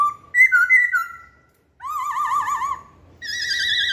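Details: Masked laughingthrush lure song: loud ringing whistles in two overlapping tones, a pause, then a long warbling vibrato whistle and a high sustained buzzy note.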